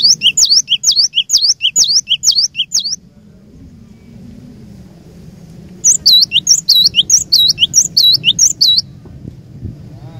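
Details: Glatik batu, the cinereous tit, singing to challenge rival birds: three seconds of rhythmic high two-note whistles, a quiet gap with faint background noise, then another rapid repeated series.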